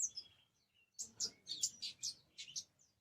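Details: Orange-headed thrush singing in short bursts of high, sharp chirps and twittering notes, packed closely together in the second half, with quiet gaps between phrases.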